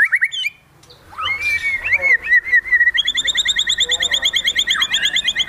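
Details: Highly excited white-rumped shama shooting out fill phrases in a lavish style: brief sharp notes, a short pause, then gliding whistles leading into a fast, steady, pulsing series of ringing repeated notes that fill the rest of the phrase.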